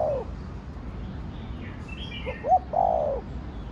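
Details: Spotted dove coo of the 'thổ đồng' style: the tail of one falling coo, then a full phrase of soft grace notes, a rising hooked note and a long hoarse downward coo, with faint high twittering of other birds.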